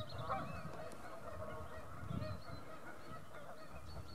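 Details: Geese calling at North Third Reservoir, near Stirling, a flock's overlapping honks forming a constant nasal murmur over low wind-like rumble.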